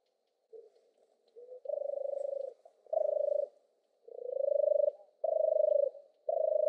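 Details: Faint short notes open, then a European turtle dove delivers five strong, low, purring notes, one rising at its start, in a steady rolling series.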